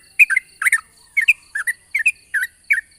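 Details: Yellow-vented bulbul in the morning, a long rapid 'ropel' chatter used as a lure to get other bulbuls singing: paired bubbly notes, rising then dropping, repeated about every half second, with a faint steady high whine behind.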